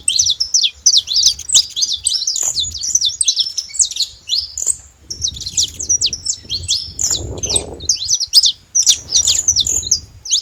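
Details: In nature, a group of free saffron finches keeps up a dense run of sharp, high twittering notes, pausing briefly midway before resuming, over soft low background noise.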